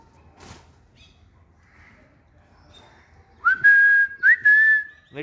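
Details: Pet green parrot on a new table in a garden: after a quiet stretch with faint rustling, two loud whistles, each sweeping up and then holding a long even tone.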